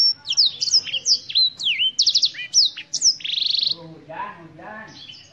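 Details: Black-throated canary, originating in Africa, sings a rapid series of downslurred whistles and clipped trills, then a dense buzzy rattle; lower tonal notes follow before the song fades out.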